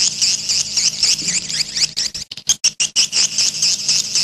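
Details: Grey-breasted prinia, wild, played to lure wild birds: a dense stream of thin, high chattering notes, about two per second, breaking into short choppy bursts with brief silences midway before the steady high chatter resumes.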